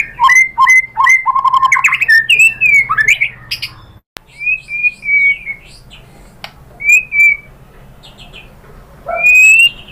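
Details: White-rumped shama lure song meant to provoke rival shamas to sing, opening with a dense burst of repeated whistled and chattering notes, then sparser clear whistles after a short break, ending in a loud phrase.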